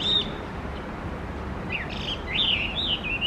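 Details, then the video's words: Chinese hwamei song from Tokyo: one high whistle, a pause, then a run of varied, slurred whistles that rise and fall quickly and twist through a wide pitch range, over soft background noise. "ガビチョウ_5_Chinese Hwamei"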